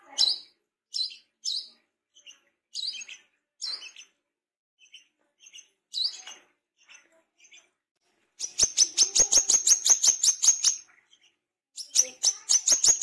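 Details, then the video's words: Tame brown-throated sunbird singing actively: spaced, high, piercing chirps, then a fast even rattle of clicky notes lasting about two seconds, and a second rattle near the end. "KOLIBRI KELAPA BESET JINAK GACOR"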